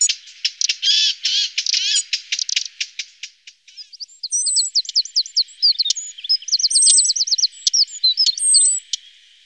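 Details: Lesser spotted woodpecker feeding its young. A burst of dense, rattling chirps fades after about three seconds into thin, high, slurred squeaks in scattered groups.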